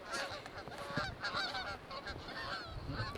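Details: Geese flying around near a levee by the Yellowstone River in Livingston, Montana, on a cold, windy day during the season's first snowstorm in autumn, honk in a dense, overlapping chorus of nasal, two-toned calls, several each second.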